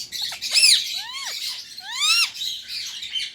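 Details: Indian ringneck parakeet, a pet bird, gives two loud arching screeches, each rising then falling, about a second apart, over a bed of softer chatter.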